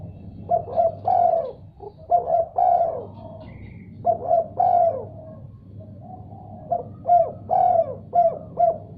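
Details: Answering spotted dove cooing repeatedly: three phrases of hoarse, mellow coos, each of three to five notes with a rising flick at the front, separated by short pauses, over a constant low droning hum.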